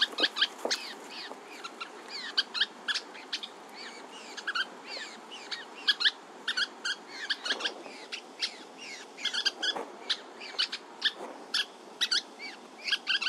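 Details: Three juvenile Western kingbirds in California beg while waiting for their parents to bring food, with a busy run of sharp, high chips and squeaky twitters, calling over one another in quick irregular bursts.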